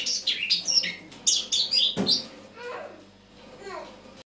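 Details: Autumn morning song of a Eurasian blackcap, 1 October 2017: two seconds of quick, high warbled chirps, then a dull knock and a quieter stretch with faint low twittering.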